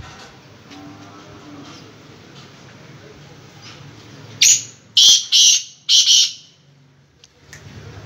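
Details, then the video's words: Black francolin in moult calls with a sudden series of five harsh, scraping notes, the later notes paired closely, in a burst of about two seconds. Soft room noise and faint murmurs are heard before the call, and a click follows. "kala teeter ki awaz"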